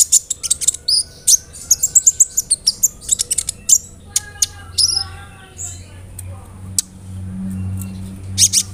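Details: Kolibri ninja sunbird singing a song with imitated fill-ins, played to provoke birds to sing. A dense rush of high chirps and twitters fades into sparse notes over a low hum.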